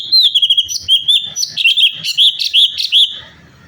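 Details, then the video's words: Cucak cungkok bulbul singing a varied tutor song for training cage birds: a rapid string of high, clear whistled notes mixed with sharp chattering chips, running three seconds before fading into faint background hum. "CUCAK CUNGKOK GACOR SUARA ASLI VARIASI UNTUK MASTERAN"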